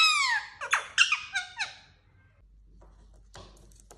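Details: A talking parrot gives a quick burst of squeaky, sliding chirps and rough clicks for under two seconds, then falls almost silent with only faint scratchy noises afterward.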